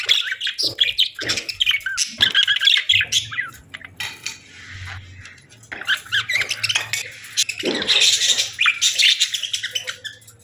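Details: Budgerigars on a peaceful morning give clusters of squeaky chirps and scratchy warbles, with a quieter stretch midway filled by a low hum before chatter resumes.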